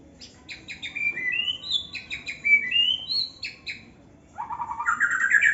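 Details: Aviary-kept young white-rumped shama delivering a busy phrase of fast chipping notes mixed with rising whistles, then after a short gap a rapid, climbing, rattling trill.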